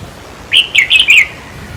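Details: Red-whiskered bulbul giving a single short song phrase of four lively, slurred notes. The song is played to caged birds to rouse them during decoy trapping.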